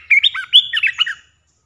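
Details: Olive-winged bulbul three-phrase lure song meant to attract wild birds: a fast, liquid string of warbled whistles that swoop up and down in quick succession, then end abruptly into silence.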